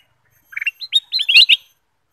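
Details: Bulbul known locally as kutilang emas, sung as a lure to get other birds singing: a quick run of short, clear whistled notes, first lower then climbing into bright slurred phrases, about one second long, on a silent background.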